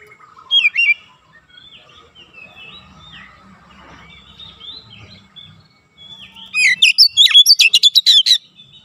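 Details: Oriental magpie-robin training recording for young birds to learn rapid 'nembak' singing: a short whistle early on, soft warbled notes, then a dense, loud volley of sharp chirps and swooping whistles near the end.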